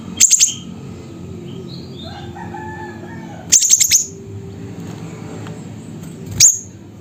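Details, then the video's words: Siri-siri calling in Pidie, Aceh: three bursts of rapid, very high, metallic chips, each burst three to four notes, about three seconds apart. Softer lower whistles from other birds come in between. "Burung Siri Siri Nembak Suara Gacor"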